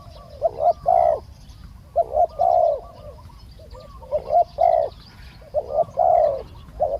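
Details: Spotted dove in a decoy trapping session, luring a wild bird that is slow to descend; deep cooing phrases of short notes leading into a longer rolled coo, repeated roughly every two seconds.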